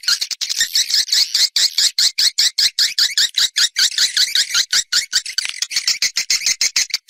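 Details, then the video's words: Rapid, steady stream of short, sharp swiftlet chirps, about two or three each second, each a bright buzzy note with a harsh edge, forming an unbroken chattering pulse throughout; part of an external swiftlet sound. "Free Swiftlet External Sounds"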